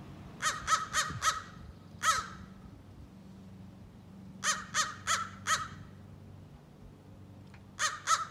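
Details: Young American crow practising scolding and territorial calls: harsh, broad caws in bursts of three to four, a single caw, then further groups of four and a pair, with a low background hum throughout.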